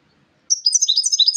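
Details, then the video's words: European goldfinch in song: a short, fast run of high, bright twittering notes with liquid trills, densely packed over about one second, with no other sounds. "SAKA KUŞUNUN HARİKA ÖTÜMÜ - GOLDFINCH SING"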